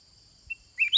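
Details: Sooty-headed bulbul, a cage bird, answering wild birds; a short high pip, then the start of a quick bright whistled phrase cut off at the end, over constant high insect hum.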